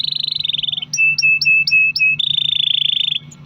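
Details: Canary singing a lure song for other canaries: high rolling trill, then about five clipped notes over a level whistled tone, then another long fast roll.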